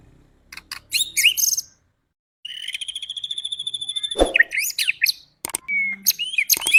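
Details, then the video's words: White-rumped shama song meant to spur other birds to sing: sharp, clicking chatter, then a long, fast, even trill of ringing notes, a loud knock, and more varied whistles and harsh, buzzy bursts. "Pancingan Murai Agar Cepat emosi dan bunyi"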